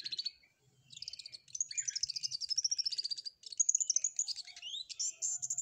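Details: Actively singing flowerpecker delivering canary-like material: a long run of rapid, buzzy, high warbled trills with sliding pitch, broken by short pauses, a faint low rumble underneath.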